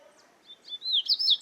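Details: Double-collared seedeater, known locally as coleiro, singing in nature: a short burst of high thin whistles sliding up and down in quick succession.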